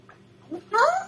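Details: A pet talking grey parrot, with its owner saying "halo" nearby, gives a soft low note, then a louder, rising, nasal cry about a third of a second long, much like a cat's meow.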